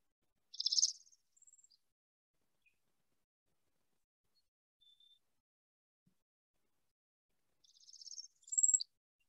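Northern Parula singing twice: a high, buzzy trill rising in pitch, snapped off by a sharp, abrupt note at the top. Otherwise quiet.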